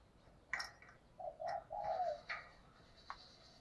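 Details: Spotted dove used as a decoy, cooing to provoke and lure wild doves: a few low, mellow coo notes in a short run, mixed with sharp clicks and faint background noise.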